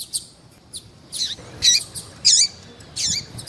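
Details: Captive female variable seedeater in heat, calling eagerly with high, sharp, sweeping chirps and squeaky notes spaced unevenly, some louder and buzzy, against a quiet background.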